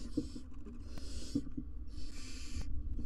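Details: Wild barn owls, parents and three nestlings, sharing a nest box on a live cam; two long breathy hisses with soft tapping sounds between them.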